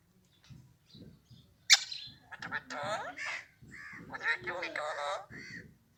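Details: Alexandrine parrot talking in Urdu, Hindi or Arabic: bursts of raspy, harmonic, speech-like syllables at a high pitch, with a sharp click near the start and short pauses between phrases.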